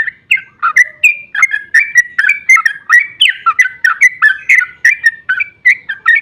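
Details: Sooty-headed bulbul giving a long, rapid 'ropel panjang' song, used as a lure to provoke other bulbuls to answer: a dense, unbroken stream of short liquid whistled notes, each slurring up or down, repeated several times a second.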